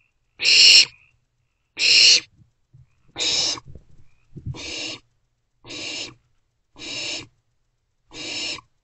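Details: Owlets in a nest box, a trio that stayed inside, 13 April 2024; seven rasping hisses at steady intervals of roughly 1.2 seconds, loud at first then softer, with faint scuffling.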